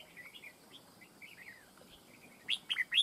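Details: Wild-caught red-whiskered bulbul in a fight trap: soft slurred chirps at first, then three loud sharp rising notes in quick succession at the end.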